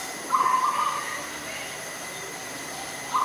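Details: Adult zebra dove recorded in Ubon Ratchathani, Thailand, on 21 September 2022: a quick burst of rapid, soft staccato coos lasting under a second, then a second burst starting at the end, over a steady high-pitched background whine.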